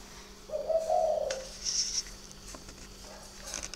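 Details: Single low, rounded coo from a spotted dove calling at night at a bird farm near Hanoi, Vietnam. It is followed by a short, thin high whistle-like tone against a steady hum.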